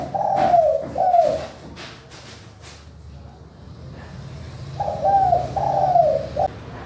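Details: Crystal-clear spotted dove manggung call, used to lure reluctant doves to sing: a two-note coo phrase, a three-second pause with faint tapping, then the same phrase repeated.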